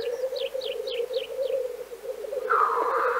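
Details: A Black Grouse in Central Russia gives a continuous low, bubbling murmur that ends in a harsh hissing rush, while another bird overhead repeats quick, high, falling chirps about four times a second.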